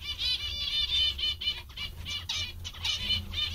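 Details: Zebra finches described as very happy give loud, close, nasal beeping calls in rapid series, with overlapping toots from more than one bird and a faint low hum.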